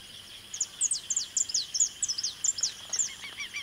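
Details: Saffron finch singing in the Pantanal of Mato Grosso, Brazil: a quick run of high, sharp chirps and slurred notes, irregularly spaced, over a steady high insect-like hum.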